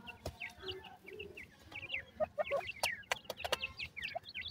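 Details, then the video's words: Dakhni teetar chicks, a francolin, peeping: high, short upslurred squeaks in loose runs, some lower chirps, punctuated by sharp clicks and taps. "top dakhni teetar chicks awaz"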